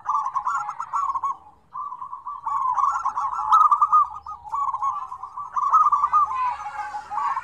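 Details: Several zebra doves call together in a combined lure recording for doves that rarely call. Dense bubbling coo phrases run almost nonstop, with a brief gap after the first second and a faint higher chatter near the end.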